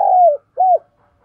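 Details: Decoy spotted dove, deep 'thổ'-style voice, calling to rouse wild doves: the end of one long coo sliding downward, then a short arched coo note, clean and close.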